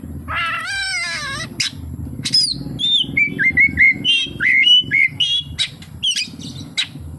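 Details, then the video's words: Oriental magpie-robin delivering kapas tembak-filled song. A nasal, buzzy harmonic phrase comes first, then a fast series of short, clear whistles stepping down and up, with sharp ticks scattered between. "SUARA BURUNG KACER, FULL ISIAN KAPASTEMBAK"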